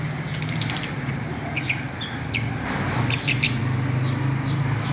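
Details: Lovebirds of the Fischer's kind at play on a swing, giving irregular high tweets and squeaks in small bunches over a loud low background hum.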